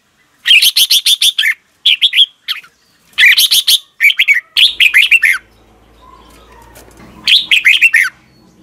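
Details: Red-whiskered bulbul singing in the morning, recorded as lure sound for training other birds: loud bursts of quick, bright whistled notes with rolling warbles, five phrases separated by short pauses, faint low hum in a quiet gap.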